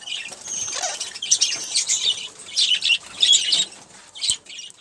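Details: An olive-throated parakeet eating sunflower seeds and drinking water gives harsh, scratchy, high-pitched chatter in quick irregular bursts, mixed with soft rustling and flutter.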